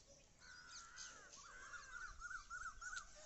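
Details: Bird calling on a morning outdoors, a harsh, buzzy call held at a steady pitch, then a run of short, wavering notes repeated about every quarter second, with faint higher chirps behind.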